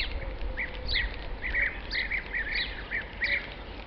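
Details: European bee-eaters in treetops of tall trees at La Rocina/Acebrón, Doñana, Spain, on 31 March 2011, give short, rolling, liquid 'prruit' calls in loose bursts every half second or so, over a low background rumble.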